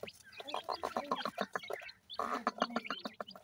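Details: Young partridge chicks eating traditional desi feed, giving soft clucking calls in quick, uneven bursts with a short pause near the middle, mixed with faint pecking taps.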